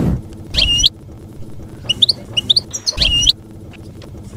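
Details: Campero song of a European goldfinch, intended for juveniles to copy during moult; a drawn-out nasal buzz repeated twice, about two and a half seconds apart, with quick bright chirps and twitters in between.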